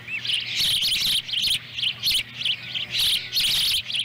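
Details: Ospreys calling at a Montana nest in Lolo on July 18, 2017, as a chick tries eating a whole small fish. Dense, high, squealing chirps run almost continuously in short rapid bursts.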